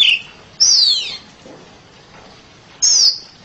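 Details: Two clear, loud downslurred whistles from a home-kept oriental magpie-robin, about two seconds apart, after a short low note at the start and with quiet between them.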